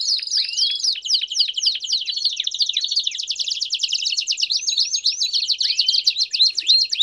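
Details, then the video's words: Campainha canary song with peeps, used for training young canaries: quick descending notes leading into a dense, buzzy high roll, interspersed with short rising and falling whistled slurs. "Canto Campainha Com Piados Top Para Treinar o Canto de Canarios Filhotes"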